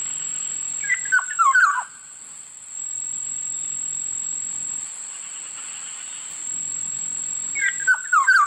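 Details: Black-naped oriole giving two bursts of short, liquid, downward-slurring whistled notes, one near the start and one at the end, with a quiet gap between them and a steady high electronic whine throughout.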